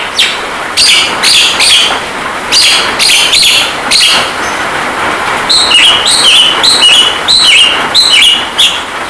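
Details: Javan myna masteran song set against rain for training caged birds to sing and talk. Many short whistled and harsh notes repeat in clusters, some dipping in pitch, with constant rain hiss behind.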